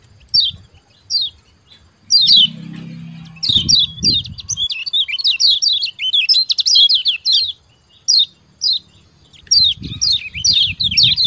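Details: Kecial kuning white-eye chirping, a sound used to coax lazy caged birds to sing: thin, downslurred high notes in scattered bursts, then a dense cluster of quick chirps, with brief low thumps.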